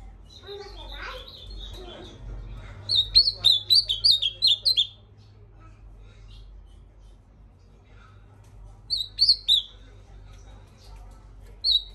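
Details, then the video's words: Ultramarine grosbeak singing a phrase of clear, descending whistled notes, repeated twice after a pause, with a single note at the end; a man talks over the first seconds. "Esse azulão é um fenômeno dos fenômenos"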